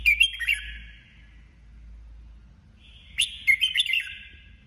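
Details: Competitive singing from a female decoy red-whiskered bulbul: two lively warbled phrases of quick chirps and falling whistles, with a quiet gap of about two seconds between them.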